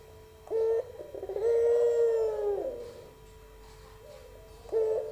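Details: Pelung coo from a young albino barbary dove. A clipped opening note is followed by a long, level, hollow coo that sags in pitch at the end, then another short note begins.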